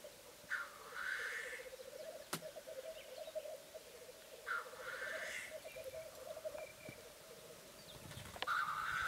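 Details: Male black grouse displaying at a lek on a bog: a steady, low bubbling cooing runs throughout, broken by loud hissing, sneeze-like bursts about every four seconds, three in all, plus a sharp click near the two-second mark.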